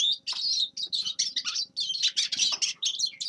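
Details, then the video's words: Grey-crowned goldfinch in full song: a rapid string of sweet chirps, twitters and short buzzy notes in quick succession over three seconds, over a faint low hum. "Седоголовый щегол Carduelis caniceps певчая птица"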